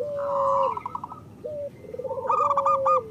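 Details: Local zebra dove song, played to prompt lazy birds. A long level coo sliding down, then a short lifted note, a low rippling trill and a steady drawn tone, with quick higher coos at the end.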